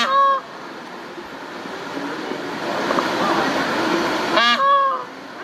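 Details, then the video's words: A peahen gives short, nasal, honking calls, one at the start and a louder, wavering burst near the end, over a steady background rumble. "female peacock sound"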